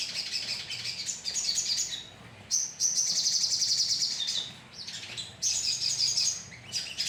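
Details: Colony of crimson sunbirds as lure audio: rattling high trills and chirps in bursts of about two seconds, with short quieter gaps, many birds overlapping.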